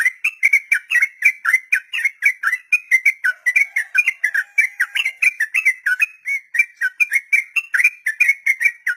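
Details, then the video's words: Sooty-headed bulbul delivering a continuous 'ropel panjang' song meant for training beginner captive birds, a steady stream of quick, liquid, warbled notes repeated about three times a second with no other sounds. "Trucukan Ropel panjang || masteran buat burung trucuk pemula"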